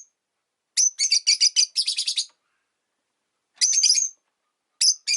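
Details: Caged rosy-faced lovebirds, five kept by a window, calling in winter: fast runs of shrill, harsh chirps in a long burst, then shorter clusters after a pause; background otherwise quiet.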